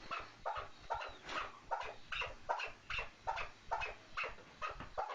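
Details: Chukar partridge giving repeated rough, chattering call notes roughly every half second, each a short burst with a brief rising tone, over a hissy background.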